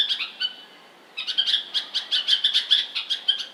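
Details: Bulbul: two quick chirps and a brief held note, a second of quiet, then a fast, evenly spaced run of bright, high chirps, about ten in two seconds.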